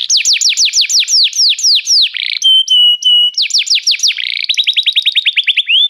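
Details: Restless canary singing a rapid series of high descending slurred notes, then steady whistled tones and a fast, even trill of short downward sweeps, all bright and clear.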